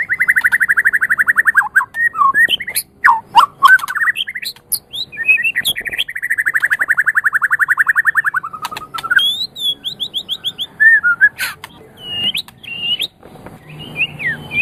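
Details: White-rumped shama song recorded as a master track for training other songbirds: loud varied phrases with long rapid trills near mid pitch, sharp chirps, slurred whistles and high ticking notes, changing every few seconds.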